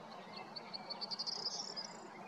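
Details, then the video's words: Corn bunting singing in Prečko, Zagreb, Croatia, on 20 April 2022: a quick series of short, high ticking notes speeds up into a dry, jangling trill lasting about two seconds, over a steady low background hum. "Velika strnadica (Emberiza calandra) (Birds of Croatia - Corn Bunting)"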